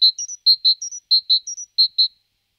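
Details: A great tit (Parus major) repeating a bright, ringing phrase of a lower note paired with a higher one, the pattern cycling steadily four times in under three seconds; clean, noise-free recording.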